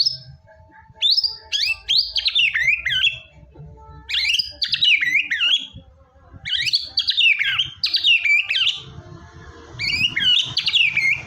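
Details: White-rumped shama singing hard, a lure for a quiet shama: repeated tangled phrases of high, looping whistles and quick trills, each under a second, with little pause between them and faint background rumble.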